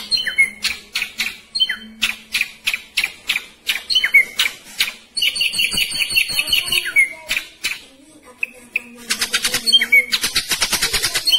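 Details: Ashy drongo, caged, singing a quick dense 'roll tembak' song: clipped sharp notes with slurred whistles, a buzzy chattering passage, a short pause, then a high rattling trill to finish.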